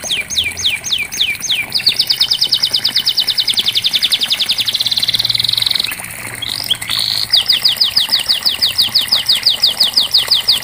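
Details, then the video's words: Canary singing to prompt a quiet canary to start: sweeping falling notes repeated, a long rapid buzzy trill, a brief pause, then a run of fast rising and falling notes repeated about three per second. "Terapi Kenari Macet pasti ikut Bunyi"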